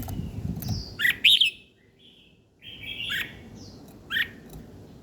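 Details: Morning bird chirping: a cluster of loud, high, sharp chirps, then a pause, a softer run of thin whistled notes, and one last bright chirp.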